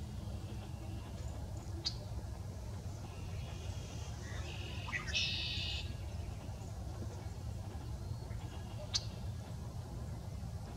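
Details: A male Red-winged blackbird announcing its territory gives one song phrase: short rising notes, then a harsh, buzzy trill about a second long. A steady low rumble and a couple of sharp clicks surround it.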